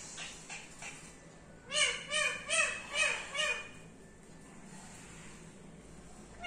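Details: Pet parrot calling in a quick series of five arched, harmonic squawks about half a second apart, then quiet with faint room noise.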